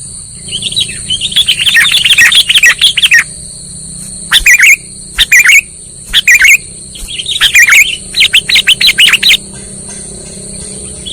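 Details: Sooty-headed bulbul sound played as a trapping lure: bursts of lively, tumbling chirps come in clusters with short gaps between them, over a constant high-pitched electronic tone and a low hum.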